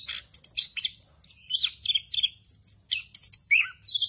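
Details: Varied phrases from an orange-headed thrush's rolling song, intended to teach other thrushes. Separate bursts follow each other about every quarter second: sharp high chips, slurred whistles and a short buzzy trill, with quiet gaps between.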